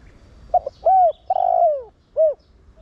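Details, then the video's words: One cooing phrase from a spotted dove in the 'Thổ Đồng' voice, played to stimulate other doves: two brief stuttered notes, a rounded coo, an extended coo dropping in pitch, then a last short coo. "Cu gáy Giọng Thổ Đồng Gáy Gọi kích bổi nhanh gáy/cu gáy mồi kích bổi mau nổi"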